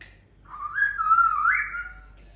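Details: Pet African grey parrot indoors in the morning, in a happy mood, giving one smooth, wavering whistle that swells, dips and rises again before fading over about two seconds, with a quiet room behind it.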